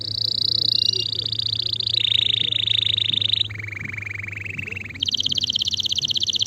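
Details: A male canary sings long rapid trills that step down in pitch twice, then leap back up, over a steady low hum.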